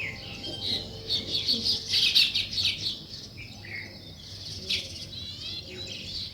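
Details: Sparrows chirping at daybreak around nest-building weaver birds: a loose flock chatter of thin high chirps and twittering trills, rising to a lively peak before thinning into scattered calls.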